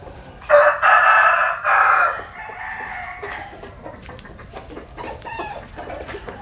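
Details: Rooster from Vietnam's western Mekong region: a loud, hoarse crow in three broken bursts over nearly two seconds, then a fading drawn-out tail and soft background clucks.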